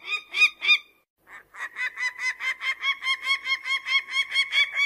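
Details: Falcon calls: a few loud harsh notes, a brief silence, then a building series of rasping repeated syllables that grows quicker and steadier. Identified as a peregrine falcon.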